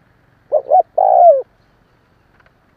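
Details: One full spotted dove coo used for decoy stimulation: a short double note followed by a sustained, downward-curving coo, clear against a quiet background.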